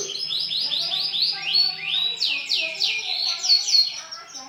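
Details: Song of a male white canary: fast series of high, rising whistled sweeps that shift into steeper, descending slurred notes, delivered continuously with clear, bright tone.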